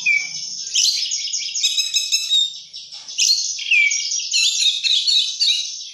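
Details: Vigorous, full song of an oriental magpie-robin: dense high warbling with sharp whistles, chattering trills and rapid varied phrases, nearly nonstop with brief gaps, no other sounds.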